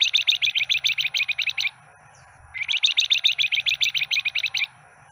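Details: A stub-tailed captive grey-headed canary-flycatcher (Culicicapa ceylonensis), newly obtained, sings two fast bursts of bright, high chirping notes, about ten a second, each under two seconds, over a low rumble.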